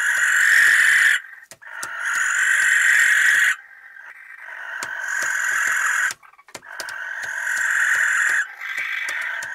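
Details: Barn owl couple in their nest box, Recke, Germany, 13 May 2021: repeated long, harsh hissing screeches of one to two seconds in near-continuous series, with faint clicks and knocks between calls.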